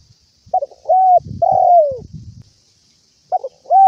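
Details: Spotted dove calling its companions with mellow hoots: a quick stuttered note, a steady coo, then a long coo that sags downward, with soft low shuffling between phrases and the pattern starting again.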